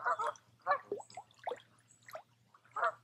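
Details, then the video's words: Geese on a quiet wooded lake at a resort in Tamiment, Pennsylvania, in July, giving harmonic honks in short bursts, about five calls spread across three seconds with quiet gaps between. "Relaxing With Some Geese"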